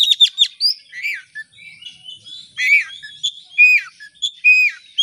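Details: Oriental magpie-robin singing as a lure for other birds, a clean recording of varied slurred whistles, rising and falling phrases and brief chattering notes with short gaps between them.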